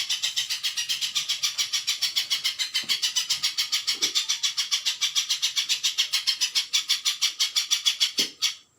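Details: Rapid, steady run of high, sharp chipping notes from a spiderhunter, about three to four per second and sustained for over eight seconds, with faint low knocks in the background.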